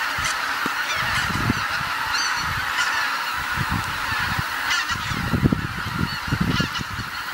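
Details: Wild geese returning at dusk to Kabukuri-numa marsh in Japan, a dense chorus of overlapping honking calls forming a steady wash of sound, with scattered low thumps and rumbles beneath.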